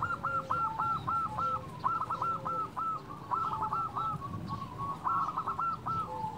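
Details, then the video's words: Local zebra dove with a loud, melodious voice, used as a lure to stir quiet or reluctant doves into singing: rapid runs of short, hooked cooing notes rising and falling in a steady rhythm over low rumbling background noise. "Perkutut lokal gacor Suara Besar Merdu Cocok Untuk Pancingan Perkutut Malas Bunyi"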